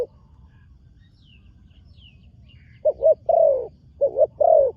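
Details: Young spotted dove being trained, first time on the dirt competition ground; after a quiet stretch with faint high chirps from other birds, it delivers two low mellow coo phrases, each a short note then a drawn-out falling coo.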